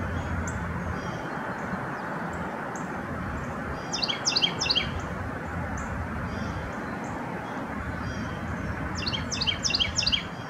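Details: Carolina wren calling while foraging at Bluebird Gap Farm, Hampton Roads, Virginia, in February 2019: two bursts of quick, rolling, repeated high phrases, one near four seconds and another near nine seconds, over steady broadband background noise.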